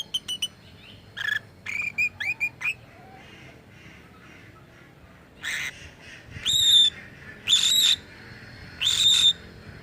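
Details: Lovebird uttering odd calls said to imitate human voice: a series of short sharp chirps, then longer harsh squawks with a steady high whistled band, separated by quiet gaps.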